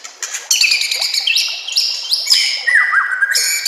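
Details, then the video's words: Training song of a white-rumped shama, with nature sounds and water trickling: dense, echoing phrases of sharp up-slurred whistles and chirps, overlapping notes sweeping upward several times in under four seconds. "murai batu anda dengar suara MASTERAN burung seperti ini"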